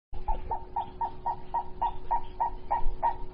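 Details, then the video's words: Purple-crested turaco calling in a garden in February 2018: a fast series of about a dozen mid-pitched, hollow croaking notes, roughly three or four per second, growing louder toward the end over a steady low hum. "Purple Crested Touraco in my Garden Feb 2018"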